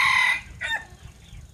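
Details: Decoy rooster in the early evening, around 18:00. It ends a loud crow with a strong, steady, harmonic-rich note, then gives a brief lower, falling tail note. Soft low rumble continues underneath.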